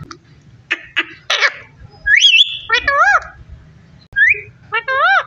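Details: Talking parrot giving a few rough, clicky syllables, then clear whistled sweeps and rich, wavering, voice-like phrases that rise and dip in pitch, with a faint low hum beneath.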